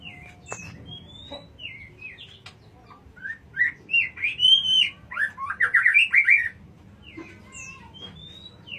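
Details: A white-rumped shama recorded at Jatiuwung gives soft scattered whistles before breaking into a loud, rapid sequence of looping, warbled notes, then fading back to sparse high calls.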